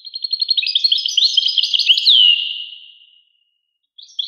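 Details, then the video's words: European goldfinch song: fast repeated liquid chirps building into a jumbled twittering phrase, closing with a drawn-out descending whistle and a brief pause before more notes. "carduelis carduelis 💥goldfinch or the European goldfinch in colloquial speech"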